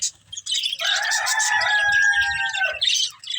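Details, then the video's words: Budgerigars feeding on green food give buzzy chirps, with a drawn-out, steady, nasal tone running for about two seconds mid-clip. "Beautiful Budgies Enjoying Eating Green Food | Love Birds Chirping Sounds"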